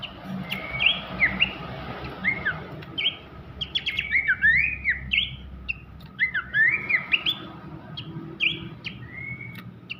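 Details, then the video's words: Sweet whistled song of an Abbott's babbler, a master song for magpie-robin training; phrases of slurred, rising and falling whistles repeated in bursts with short pauses, above a low steady hum. "siulan merdu sang pelanduk semak"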